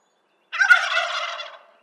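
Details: A single wild turkey gobble, an abrupt, harsh, throaty rattle lasting about a second that fades out at the end.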